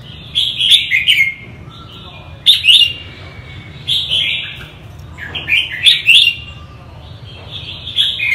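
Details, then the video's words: Repeated lively warbles from a northern red-whiskered bulbul, delivered as about five separate chirpy, slurred phrases every one to two seconds, each rising and falling, against a soft low-pitched hum. "chim chào mào bắc hay nhất"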